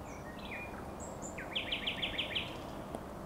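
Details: Common nightingale singing on the Żerański Canal on the night of 23 to 24 April 2022: a few thin scattered notes, then a phrase of about seven quick repeated upslurred notes over a steady background hiss.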